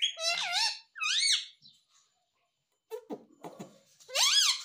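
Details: Pet talking parrot in a small room: two quick rising-and-falling screechy utterances, soft clicks and rustles, then another loud, wavering, speech-like screech.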